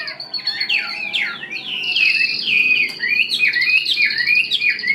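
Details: Wild-caught hwamei, kept caged for about one week, singing a rich, continuous run of whistled phrases: rising and falling slurs and quick downward swoops over a steady high tone, loud and unbroken throughout.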